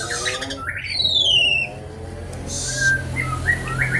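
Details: Javan pied starling singing vigorously in rattling 'kretekan' style while spreading its wings 'nggaruda': harsh squawks, a descending whistled slur, then a loud noisy burst and short rising whistles, low hum underneath.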